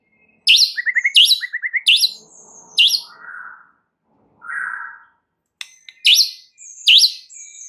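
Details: Song of a white-rumped shama played to rouse other shamas; sharp rising whistles alternate with quick twittering trills, a lower rich warble, a pause, then more snapped upward-sweeping notes.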